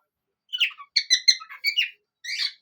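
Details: Parrot singing in a duet, its singing urge growing as sunny days increase; a short burst of squawky, harmonic chirps in quick uneven clusters, then a brief pause and a final raspy note.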